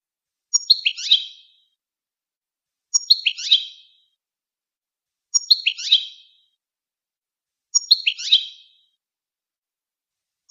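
A goldfinch repeats the same bright phrase about every two and a half seconds: a few thin high notes, then a quick tumbling burst of twittery, slightly buzzy notes.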